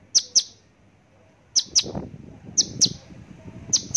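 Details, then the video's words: Javan bush lark giving sharp, high chirps in three pairs, each pair a quick double note, separated by pauses of about a second, over a low background rumble. "branjangan javanica"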